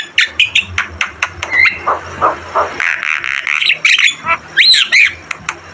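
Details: Energetic Javan myna song made for tutoring other birds: rapid clipped chattering notes, then a rough buzzy stretch and a few sharp, twisting whistles at the end.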